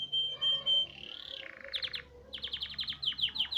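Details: Song of a Hipi canary, opening with a steady high whistle, sliding into a wavering phrase, then bursts of quick downward-swept chirps repeated in fast series.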